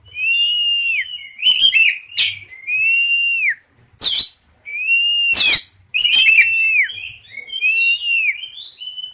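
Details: Oriental magpie-robin in breeding condition singing vigorously: sweet arched whistles and warbled phrases broken by loud sharp rasping clicks, roughly every second or two, in a varied repeating pattern.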